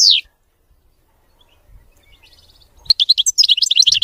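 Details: European goldfinch singing a clean, error-free song: one falling slurred note opens, then quiet, then a lively cluster of high, jumbled twittering notes near the end.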